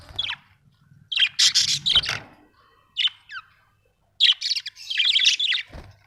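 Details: Budgies chattering in lively bursts of high, scratchy chirps and squeaks, two busy volleys separated by a brief quiet spell with a single short call between them.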